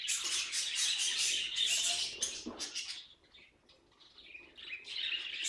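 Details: Pet budgerigar noises: dense, scratchy high chirping and warbling for about three seconds, fading to softer scattered tweets, then building again into busy chatter near the end.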